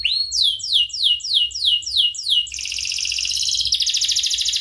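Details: Canary singing a training song used to teach other birds: a run of about eight clear descending whistled sweeps, then a dense, rapid buzzy trill held high for two seconds, with a low hum underneath.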